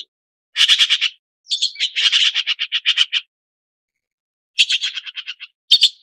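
A red-billed blue magpie gives harsh, rasping chatters: three bursts of quick scratchy notes, about eight to ten a second, with short pauses between bouts.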